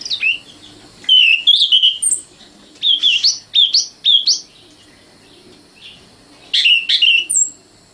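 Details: Common nightingale (Luscinia megarhynchos), a young bird, singing separate loud phrases of slurred, rising whistled notes grouped in twos and threes, each phrase followed by a short silence, ending on a thin high note.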